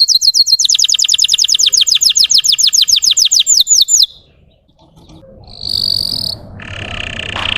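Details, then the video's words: Russian canary song meant to stir up other canaries: a fast, high, rhythmic trill of repeated sweeping notes lasting about four seconds, then a silence, one brief high note, and soft hissing noise. "PANCINGAN SUARA BURUNG KENARI RUSIA UNTUK MANCING EMOSI BURUNG BAHAN"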